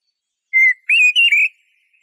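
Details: A single short Eurasian blackbird phrase: one level fluty whistle, then two warbled notes close together, in a quiet setting.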